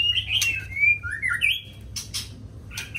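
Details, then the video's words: A white-rumped shama sings in the morning, delivering loud, rich whistled phrases that slide down and up, followed by a couple of harsh broadband bursts, over faint low hum. "Chòe lửa hót sáng"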